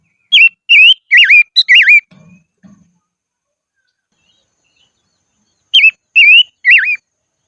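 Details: Decoy silver-eared mesia singing in the highlands: a quick phrase of four loud, wavering whistled notes, two faint low thuds, a pause, then three more rising-falling whistles.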